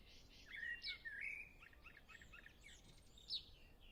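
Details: Short burst of common blackbird song: a couple of rich fluted notes followed by thin twittering, with other birds singing faintly in the distance.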